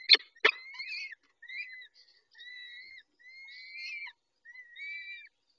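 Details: Peregrine falcon male attending the females at the nest, evening of 23-05-21 at 19:40: two loud clacks open a series of rising, drawn-out whining notes, each about half a second to a second long.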